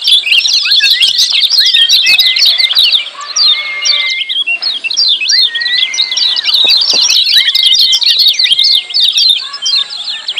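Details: Noisy, lively 'ciak' calls of lemon-bellied white-eye, played to get mute birds singing: a near-unbroken dense chatter of high chirps over long level whistled notes, with a short dip in loudness partway through.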